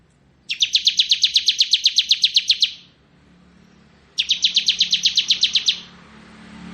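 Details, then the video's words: Bar-winged prinia, crystal type, singing a fast buzzy trill of about fifteen evenly spaced high notes over two seconds, then a pause and a shorter matching trill; quiet low hum beneath. "Suara Burung Ciblek Ngebren"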